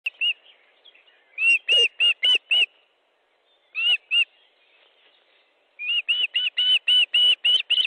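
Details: Osprey at its nest in Estonia on 29 May at 18.12, during a fish delivery: loud clear whistled piping notes in short bursts, then a long even series of about ten rapid piercing calls.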